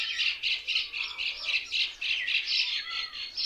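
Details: Mynas sitting together in one tree chatter in dense, harsh squawks and chirps, about four bursts a second, overlapping constantly without pause. Myna.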